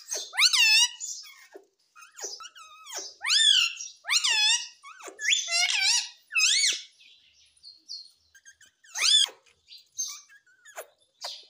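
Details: Talking Indian ringneck parakeet kept as a pet in India gives a run of sharp, rasping squawks, each a quick falling-then-rising screech, repeated about every second with short gaps, then fainter scratchy notes.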